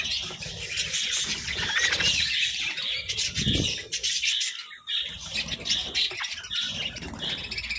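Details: Pet budgerigars chatter during mealtime on colourful vegetables, overlapping high chirps and warbled notes with some squawks, plus wing flutters and pecking thumps.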